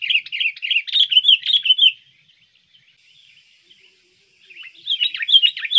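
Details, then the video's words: Lure sound of the sooty-headed bulbul, meant to draw birds in and to train caged singers: a two-second string of lively, rapid chirps, a quiet pause, then another energetic chirping burst. "pikat burung kutilang Bagus gacor ampuh"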